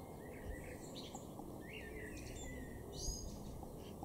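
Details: Eurasian Blue Tit in a garden in Norden, East Frisia, northwest Germany, April 2021: thin, high call notes in short scattered bursts, a brighter cluster near the end, over a steady low rumble.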